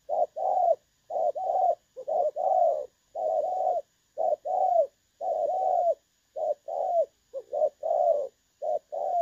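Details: Spotted dove in the 'dong son' style with a clear voice, played as a trapping decoy, 16 August 2024: soft, mellow coos come in quick, slightly uneven pairs and triplets, the longer notes bowed and sustained.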